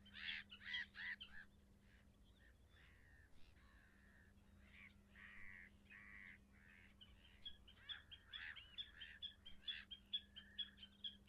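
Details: Leucistic red-throated loon calling: bursts of harsh, croaking notes repeated in quick series, pausing midway then resuming, over a steady low hum.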